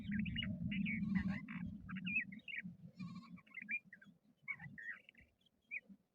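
A crested lark gives quick bursts of clear, liquid chirps and short whistled phrases, high and varied, over a steady low rumble.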